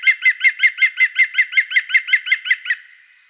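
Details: European green woodpecker filmed in France: a loud, laughing series of about fifteen evenly spaced ringing notes, roughly six per second, steady in pitch before trailing off, with no other sounds.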